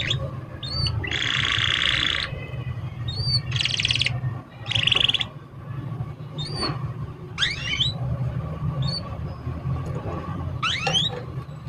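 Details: Canary song played to coax young canaries into singing: bursts of dense buzzy rolled trills separated by gaps with a few thin rising whistles, over a continuous low hum.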